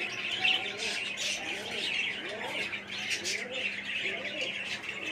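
Pigeons give low, rolling coos about once a second over a hiss of higher chirping.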